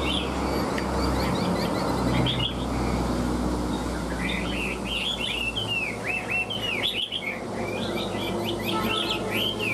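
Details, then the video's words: Chinese hwamei in a cage, tail fanned and wings flicking, breaking into rapid bursts of sharp downslurred whistles after a quieter start, over a continuous low background rumble. "Đuôi xòe chơi cánh hót tốt giọng hay"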